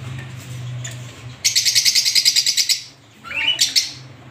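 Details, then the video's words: Finch, with white and colourful birds noted, giving a fast, regular run of high, dry chirps lasting about a second and a half. A low hum and a few softer notes come before it, and a short squeak follows. "Finch Bird Sound"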